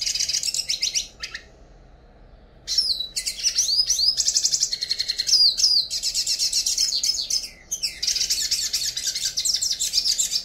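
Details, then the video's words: A Yellow-faced Siskin (Spinus yarrellii), a threatened finch of northeastern Brazil, sings a long, rambling, high-pitched twitter of rapid chirps and buzzy, slurred notes, broken by two brief pauses. "Canto Passaro Pintassilgo Baianinho"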